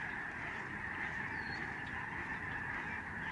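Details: Thousands of migrating Lesser Snow Geese fly over a Canadian bird sanctuary in November 2011. Their massed calls form a steady, blurred chorus of yelping honks with no single voice standing out.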